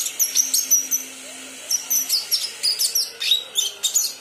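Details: Young kinoi trying out its song with fast runs of piercing high chirps and brief whistled slurs, a short lull midway, and a quiet low hum in the background.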